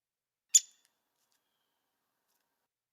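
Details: Downy Woodpecker from DuPage County giving its one-note call, unlike the Hairy's sharper two-note call: one short, sharp, high pik, a single clean syllable, followed by silence.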